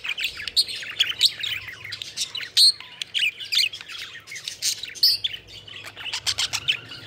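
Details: Pet budgerigars playing and flying, chattering with scratchy warbles, short whistles and squawks from several birds overlapping without pause.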